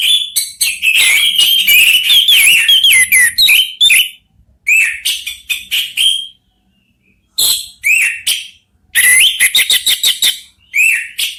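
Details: Orange-headed thrushes, three birds singing back and forth: a long, rapid stream of bright whistled and slurred notes, then a series of shorter broken phrases with brief gaps between them.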